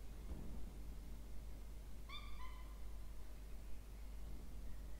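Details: Two Peregrine falcon chicks in a nest box on a water tower, Orange, New South Wales, Australia, October 2024, being fed; a brief double whining note in the middle, otherwise only low rumbling noise.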